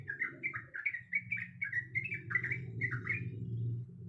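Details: Female sooty-headed bulbul, described as in heat, calling the male: a string of short, warbled chirps that rise then fall, given in quick succession over a persistent low droning hum.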